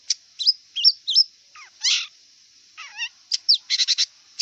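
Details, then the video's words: Wild long-tailed shrike mixing looping whistled phrases, a descending slurred note, a rich buzzy burst and wavering warbles, ending in a quick series of harsh chips, all over a steady high hum. "Kicau cendet liar"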